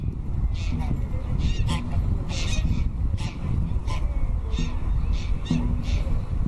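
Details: Swans give loud, nasal, honking calls in short bursts. The calls come irregularly and sometimes overlap, over a steady low rumble.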